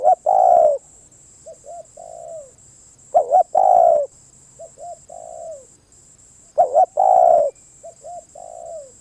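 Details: Spotted dove cooing steadily, about eighteen phrases a minute: loud double hooked notes with a long slurred coo, each followed by softer two-note coos and a falling drawn-out note; faint constant high whine.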